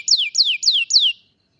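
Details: Canary song on a cellphone recording: four identical bright descending whistles in rapid even succession, then silence.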